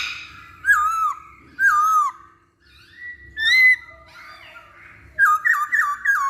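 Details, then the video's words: Masked laughingthrush singing as a lure to get other birds singing: spaced, loud, slurred whistles that drop then rise, separated by quiet gaps, ending in a quick series of four looping whistled notes. "Pancingan Poksay Hongkong"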